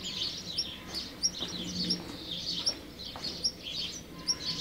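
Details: Black redstart watched at close range, giving thin, sharp high notes in quick irregular series, with a busy haze of other high chirps and a soft low hum behind.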